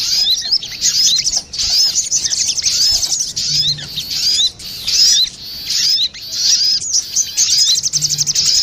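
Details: Female and male crested jay answering one another on a bird-luring track, giving rapid shrill twittering bursts of sharp rising notes separated by brief pauses roughly every second.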